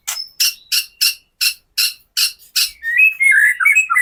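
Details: White-rumped shama song used to provoke captive shamas into singing: about nine sharp, high, evenly spaced chipping notes, then a quick warbled run of slurred whistles.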